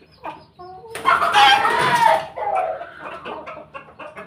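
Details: Chicken in a mixed group of pelung, Bangkok and laughing (ketawa) chickens; a few soft notes lead into a loud, harsh, drawn-out crow of about one and a half seconds, then fainter clucking.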